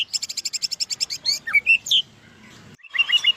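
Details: White-rumped shama from Medan giving a fast run of about a dozen sharp repeated notes, then clear slurred whistles, a short silence, and a closing burst of trilled phrases.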